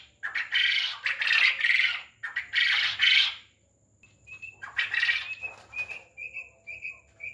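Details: Farm quail making two long, grating, raspy squawks, a pause, another rough burst, then a quick series of small repeated chirps trailing off.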